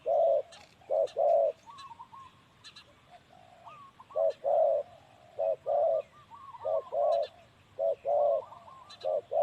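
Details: A male spotted dove, a decoy bird at Ban Khok Noi, Na Chaluai district, Ubon Ratchathani, Thailand, gives deep, hoarse coos in groups of two or three; thin warbling whistles from another small bird run between.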